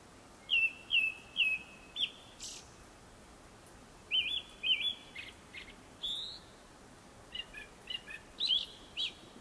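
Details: Japanese thrush in song before sunset: a phrase of four evenly repeated whistled notes, then varied slurred whistles, a rising high note, and a closing series of short chirps and twitters, all clear against a quiet background.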